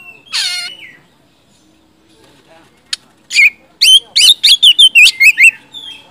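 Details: Caged white-rumped shama provoked into singing: a harsh rasping note, a pause, then a rapid burst of loud sharp whistled notes and chips, varied in pitch.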